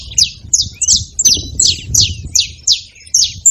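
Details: Saffron finch giving a run of eight sharp, high, downward-slurred chips, spaced roughly every half second over a low background rumble.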